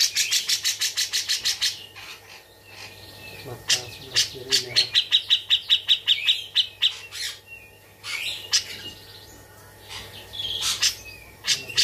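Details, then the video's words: Tame caged Bearded bulbul in full song, filled with grejaan imitations: a fast string of sharp repeated notes, then a rhythmic run of even, clipped whistles, with scattered loud chirps and a constant low hum behind. "Cucak Jenggot Gacor isian grejaan"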